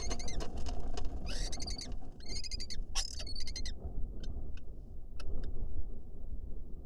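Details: Lesser kestrel pair courting inside a nest box in Israel give harsh, rasping chattered calls in quick bursts for a few seconds, then a few sharp clicks, over a steady low rumble.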